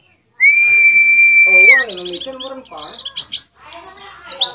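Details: Canary-imitating white-eye from Mount Ciremai, West Java: a long, loud, level whistle held over a second, then softer jumbled twittering and chirps.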